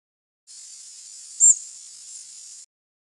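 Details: A Prairie Warbler gives a single very high, thin flight call during morning flight at Cape May, a brief slight rise and drop that trails off rather than ending abruptly, over a steady high hiss.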